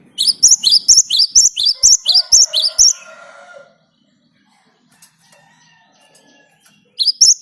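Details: Great tit (Parus major) singing a vigorous, continuous song for use as a lure to get other birds singing: a fast run of about ten high, sharp two-part notes, then a pause with faint background tones before the phrase starts again.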